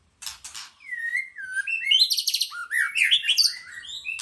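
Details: White-rumped shama singing a rich, varied phrase of clear whistled notes sliding up and down, quickening into rapid rising chirps and ending in a high warble, opened by two short harsh rasps.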